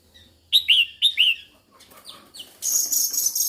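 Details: Singing female red-whiskered bulbul stimulating males: two quick bright two-note whistled phrases, then scratchy rustling and a burst of loud hissing noise that fills the rest of the clip.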